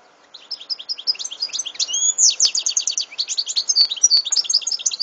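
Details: European goldfinch singing in 2014: a continuous five-second stream of rapid, high twittering, tinkling trills and a clear slurred whistle, lively and varied throughout.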